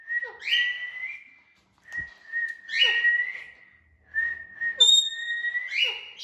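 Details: Pet Indian ringneck parakeet indoors, giving three whistled phrases about two seconds apart. Each is a level tone that leaps higher and drops into squeaky downslurred notes, and the last ends on a piercing high whistle.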